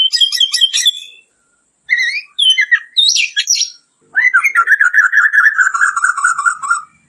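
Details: White-crowned shama song used for training other birds: bursts of sharp high chirps and whistled notes, then a long run of rapid repeated lower warbling phrases, with short pauses between sections.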